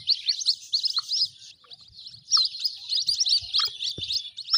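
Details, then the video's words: Chicks of the white-breasted waterhen give high, squeaky cheeps in quick bursts, a short pause partway through, then the thin chirping chorus resumes just as busily. "Jal Murgi k bacho ki awaz|جل مرغی کے بچوں کی آواز"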